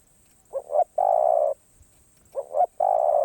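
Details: Spotted dove song of the karom pa roi style, two full phrases, each a pair of short hooting notes followed by a drawn-out low coo, with a thin steady electronic whine behind.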